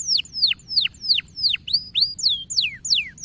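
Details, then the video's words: Canary singing to spur young birds into song, a steady series of loud, sharply down-slurred whistles repeated about three times per second, some notes curling upward at the end. "Cuitan Burung Kenari Memberi Semangat Kenari Paud Untuk Gacor"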